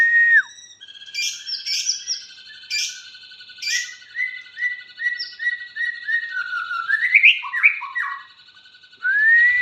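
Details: White-rumped shama singing a run of repeated short whistled notes with high chips, then a tumbling series of slurred descending whistles, ending with a rising clear whistle; steady faint background tone throughout.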